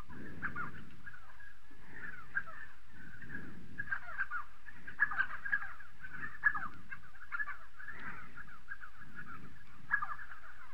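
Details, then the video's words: Spotted sandgrouse in South Morocco, a busy flock chorus of overlapping rough, bubbling calls with sharper notes every second or two, over rhythmic low rumbling. "Ganga-tacheté, Spotted sandgrouse"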